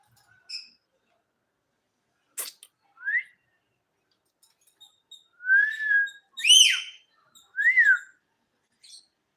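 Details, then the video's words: A talking parrot kept as a pet produces scattered whistles in a quiet room: a sharp click, a short rising note, then loud swooping rise-and-fall whistles repeated a few times. "My Talking Parrot"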